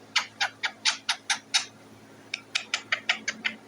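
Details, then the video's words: Parrot sitting on its cage making noise for food, giving two series of hoarse, harsh squawks, about four per second, separated by a brief pause; low hum behind. "The parrot is sitting on the cage and making a noise"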